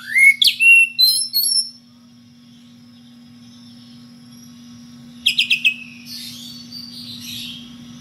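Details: Magpie-robin, kacer, in ngeplong style calling a rival: a short opening of rising whistles and chatter, long quiet stretch with steady hum, then a quick trill of four notes and soft warbling.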